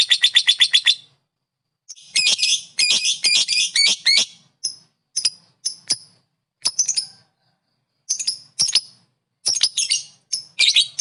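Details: Lovebird calling to rile other lovebirds: a short fast trill, a pause, then bursts of harsh, high squeaky chatter broken by gaps and single sharp chips.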